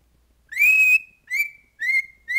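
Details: Pet cockatiel whistling part of the football tune "Hold That Tiger" in a quiet room: one long upswept whistled note, then three shorter rising whistles in quick succession.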